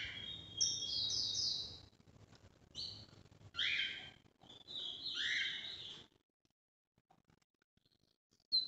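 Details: Fairly quiet northeast song of a Brazilian lined seedeater: a string of buzzy, rasping phrases, some sliding downward, spaced by brief gaps, with a low hum underneath, then silence.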